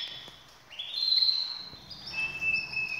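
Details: Canaries ready for breeding; short quiet song with a rising whistle into a steady high note, then a lower held tone, over faint background noise.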